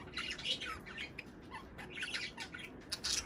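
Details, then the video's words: Several budgerigars twittering continuously, meant to prompt breeding: overlapping high chirps, squeaks and scratchy notes run without a break, with a few lower whistled notes mixed in. "صوت بادجي طيور الحب للتزوج"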